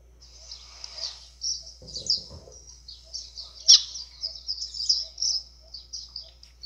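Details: White-throated seedeater singing an azulão-style song, played to excite other birds: a continuous high, thin twittering warble of quick chirps and trills, with a brief low rumble partway through.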